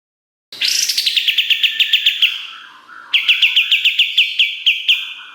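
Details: Pied triller singing energetically, recorded as master material for songbirds: two long runs of rapid, ringing chirps, each around a dozen notes.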